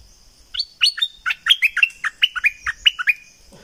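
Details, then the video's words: Bulbul from southern Thailand singing: a rapid run of short, sharp chirping notes jumping up and down in pitch, about fifteen notes in three seconds, loud and clear. "เสียงนกดอกแตงภาคใต้ สายเบิ้ล!!!Burung merbah lekir gacor bahanan"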